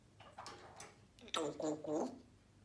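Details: A pet grey parrot, eating with a spoon in a quiet room, says a brief, voiced, speech-like phrase of two or three syllables; dry ticking clicks, possibly from the food, come just before it.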